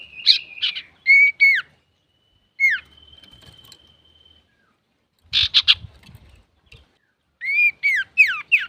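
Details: Male common iora (cipoh, sirtu) singing with varied phrases for provoking other birds: bursts of buzzy notes, paired curving whistles, a long thin steady tone, then a run of repeated falling whistles with light knocking underneath.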